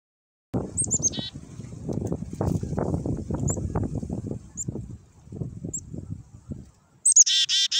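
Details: Wild black-capped chickadees being hand-fed give thin, high notes through steady low rustling and thumping, ending with a burst of harsh, buzzy dee-dee-dee notes.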